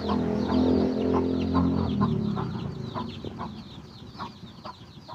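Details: Chicken searching out food for its chicks: a loud low rumble fills the first three seconds, then fades, leaving rapid high slurred peeping and scattered short clucks.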